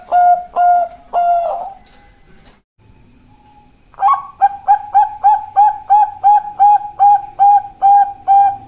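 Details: Zebra dove of the Bangkok perkutut type singing: three drawn-out soft coos, a short pause, then a quick bubbling run of about fourteen short, even notes.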